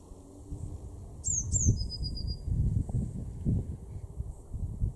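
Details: Eurasian blue tit in a garden in Weener, East Frisia, far northwest Germany, in March 2024: two very high, thin descending notes followed by a lower, rapid trill, over steady low rumbling background noise.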